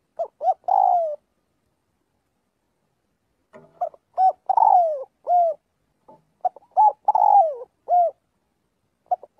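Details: Spotted dove calling the flock while practising its voice each day. Three phrases of quick clipped coos, each ending in a long, falling coo note, separated by pauses of about two seconds.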